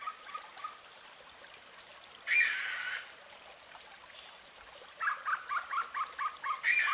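Sri Lanka frogmouth: a harsh rasping burst, then a quick run of about seven clipped, chuckling notes, over a steady high insect drone.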